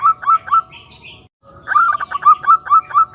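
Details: Zebra dove, local type, giving rapid repeated staccato coos. A short run is followed by a brief silence and then a longer string of evenly paced notes, with faint higher chirps behind.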